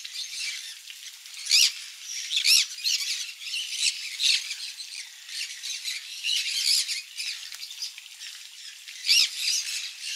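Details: Several conures eating mealworm egg food at a parrot farm, giving harsh, broadband screeching squawks in short bursts, scattered irregularly over ten seconds.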